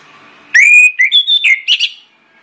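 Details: Orange-headed thrush, used as a lure to get other birds singing: a loud whistled phrase that holds steady, then breaks into a run of short, varied, bright notes over about one and a half seconds, after faint background hum.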